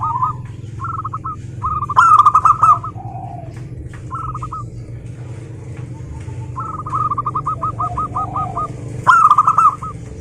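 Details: Several local zebra doves sing overlapping cooing phrases, each a rapid string of short looping notes. A nearer bird bursts in loudly twice while softer birds fill the gaps, with a faint low hum beneath.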